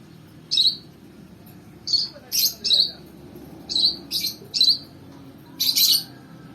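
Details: Lovebird being trained with a companion bird's lure sound gives piercing, squeaky chirps in quick pairs and singles, roughly one burst per second, over soft background voices.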